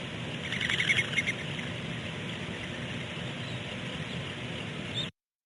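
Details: Baby barn owlets at Eaglecrest: steady, rasping hiss lasting about five seconds, with a few faint higher chirps early on over a low rumble of wind or handling.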